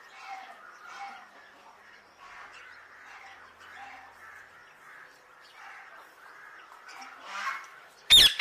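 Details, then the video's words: An Alexandrine parakeet chatters in a steady stream of harsh, raspy squawks and mutters, with a sudden loud clatter right at the end. "Alexandrine Parakeet"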